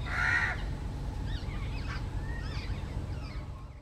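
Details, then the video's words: A Jungle babbler (Argya striata) gives a loud harsh squawk, then a run of thin chattering and squeaky notes over a steady low rumble. "Jungle Babbler"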